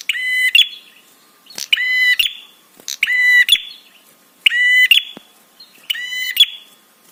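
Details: Five rasping, buzzy prinia calls of about half a second each, repeated roughly every 1.4 seconds with quiet gaps and a few clicks. The call is meant to provoke other birds to answer and to arouse them.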